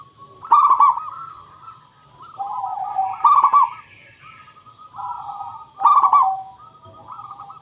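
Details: Local zebra dove lure song: rolling, bubbly coo phrases, each peaking in a loud trill, repeated roughly every two and a half seconds, with softer coos overlapping between them.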